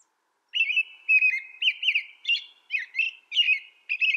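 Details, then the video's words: American robin singing a natural song: a steady run of short, clear, warbled whistled phrases, about two per second, rising and falling in pitch, against a quiet background. "American Robin Bird Sound, Bird Song"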